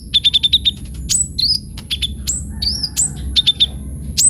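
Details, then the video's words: Singing kolibri ninja sunbird: opens with a fast run of about eight evenly repeated high ticks, then sharp slurred chirps and another short tick series. A faint high tone lies beneath. "KOLIBRI NINJA GACOR FULL ISIAN"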